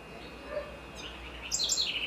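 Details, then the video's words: Great kiskadee, or bem-te-vi, recorded in Florianópolis, Santa Catarina, Brazil: after a quiet start, a sharp, shrill phrase of falling notes bursts out near the end, cut off as the clip closes. "Pitangus sulphuratus (Tyrannidae) Great Kiskadee: Bem-te-vi"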